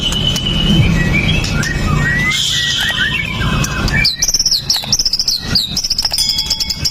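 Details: White-rumped shama (murai batu) in 'pastol' style, a sharp-noted fighter recorded on a Xiaomi Note 8 Pro to set other shamas singing: slurred whistles and chatter, then a fast high series of repeated looping notes, with low background rumble.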